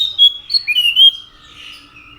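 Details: Orange-headed thrush giving a short phrase of loud, slurred whistles rising and falling, fading into softer notes; faint steady hum.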